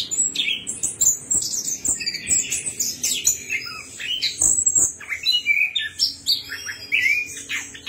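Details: Lure recording of orange-headed thrush song for prompting a bird that has stopped singing; busy stream of sharp chirps, quick trills and bright whistled notes, with short gaps between loud bursts.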